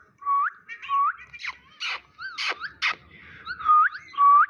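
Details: Talking pet Indian ringneck parakeet: rising whistled notes at the start and end, with a run of rasping, chattering talk-like sounds between them.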